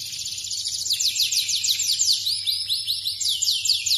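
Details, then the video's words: Yorkshire canary, second generation, singing a continuous high trill made of fast rolling notes, shifting into slower descending sweeps and then rising rolls. "Kenari F2 Yorkshire Gacor lagu istimewa"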